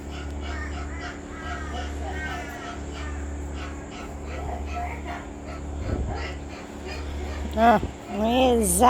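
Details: A pet moustached parakeet, indoors during a morning routine with ringnecks and a dog, bursts into loud, harsh, laugh-like cackles near the end after softer chattering, over a steady electrical hum with a person talking.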